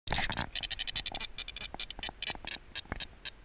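An Atlantic yellow-nosed albatross gives a harsh, rattling series of short pulsed notes, about four a second, with some scratchy background noise.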